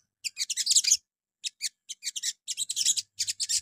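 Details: Morning sogon song used to draw replies from other sogon: quick clusters of sharp, very high chattering notes delivered in uneven bursts, with brief silent gaps between groups.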